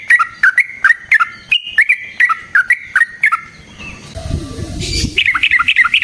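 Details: Lure and training song of a sooty-headed bulbul: short chirpy two-part notes repeated rapidly, several per second, broken by a brief burst of rustling noise before the chirping resumes.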